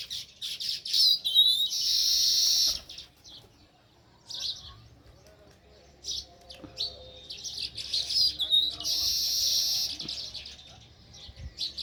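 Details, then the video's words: Sparrows at a nest in a village give loud bursts of rapid high chirping, each lasting a second or two and separated by quieter gaps, with some thinner tweets in between. "Natural Sparrow View | Chirping Sounds"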